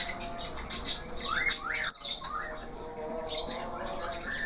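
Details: Budgerigar in vigorous varied warble: fast scratchy chatter with sharply rising chirps and squeaks, dipping briefly around two seconds before resuming more softly.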